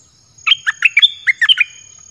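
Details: A caged red-whiskered bulbul sings a short, cheerful phrase used as a lure for wild birds: seven or eight clear, fluty notes delivered fast with a bouncing up-and-down rhythm.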